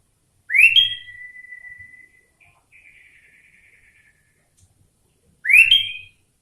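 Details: Sooty-headed bulbul (kutilang) with a cucak ijo (leafbird) style filling: a loud upward-sweeping whistle that holds a long steady tone, fades into a soft fluttering trill, then repeats the rising whistle after a pause.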